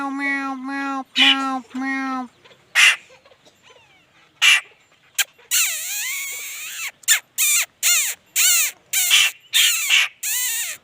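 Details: Laughingthrush song that opens with three low, nasal, reedy notes. A quieter gap follows, then a rapid burst of bright whistled slurs and sharp chirps comes in quick succession.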